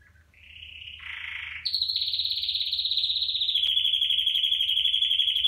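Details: Red factor canary singing, a song used to teach young birds to sing: a brief chirp, then a rising buzzy trill that jumps higher into a long, fast, even rolling trill held for several seconds.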